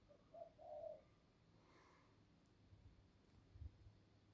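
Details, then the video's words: Ducks producing an odd sound: a brief, soft, low trill rolling into a longer warble in the first second, followed by a faint murmur and near silence. "Ducks making a weird sound again!!!"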